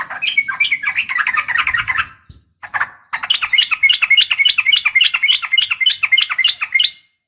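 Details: Female sooty-headed bulbul calling males at morning: a scratchy, jumbled warble with faint low rumble behind it, then a long, fast, rhythmic trill of bright repeated notes lasting about four seconds.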